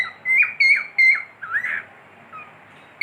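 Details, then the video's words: Pet cockatiel gives a few loud, clear whistled notes, then a lower, wavering rising-and-falling slur and a soft faint note, ending with a sharp note at the close. "My cockatiel | beautiful Whistling"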